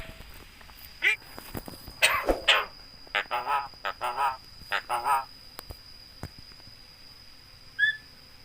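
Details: Javan myna that talks, uttering a greeting and coughing, the voice very clear like a human's: a run of harsh, voice-like syllables in quick succession, then quieter pauses with a faint high note near the end and a steady background whine.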